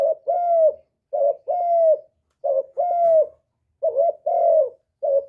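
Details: Spotted dove singing the full 'hap boi' style song of calling, urging and cooing, recorded without background noise: low mellow phrases, each a short note followed by a longer, slightly falling coo, repeated about four times.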